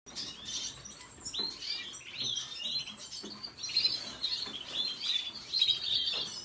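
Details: Red siskin singing a high, scratchy twitter of quick chirps and short warbled phrases, bursts swelling louder toward the end, with faint soft background noise.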